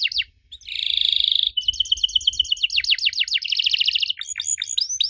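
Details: Canary singing to prompt young canaries to reply: a buzzy rattle, a steady whistled tone, rapid trilled runs and closing swooping notes, with faint low rumble throughout.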